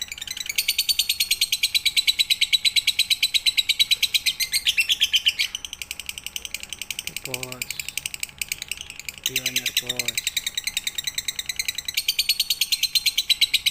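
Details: Lovebird performing full pigter song as a night-time training recording. Dense, high, buzzy chattering fills most of the stretch, with a brief lull midway and a few short, lower harmonic honk-like calls breaking in.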